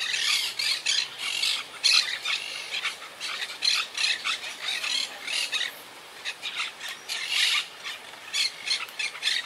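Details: Quaker parakeets in a wild yacht-club colony high in the trees, survivors regrouping since Hurricane Irma in 2017. A dense, continuous chorus of raspy, high squawks comes in rapid waves from several birds at once.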